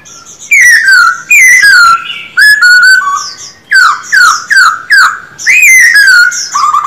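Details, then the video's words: Caged male silver-eared laughingthrush kept for song training, singing loud, clear whistled phrases that slide downward with quick upturned flourishes, uttered in bursts about every half second to second with brief pauses between, no other sounds. "Khướu bạc má hót quá đỉnh"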